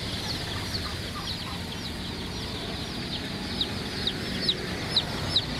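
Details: Colored baby chicks giving thin, high peeps, scattered and soft at first, then several sharper, louder chirps near the end, over low background hum and rumble.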